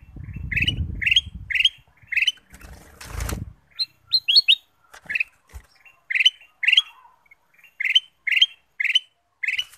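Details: Ruby-throated bulbul song meant as a lure to set other birds singing: repeated short warbled phrases, a brief noisy burst and a few higher notes midway, then the steady phrases resume.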